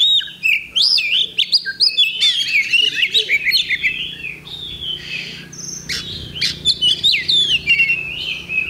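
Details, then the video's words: Kacer (Oriental magpie-robin) at a songbird competition, 8 October 2020. A continuous medley of warbled whistles, slurs and rapid chirps with a brief softer break midway. A faint low hum is audible. "Kacer Bagong Ngunci Mulai Semi"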